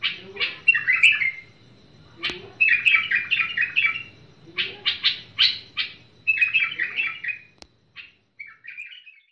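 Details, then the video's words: Trained bulbul singing clustered bursts of lively chirps and warbles, several phrases spaced a second or two apart, ending with softer, shorter notes. A clicking knock cuts in now and then. "بلبل المطوعة فريزر"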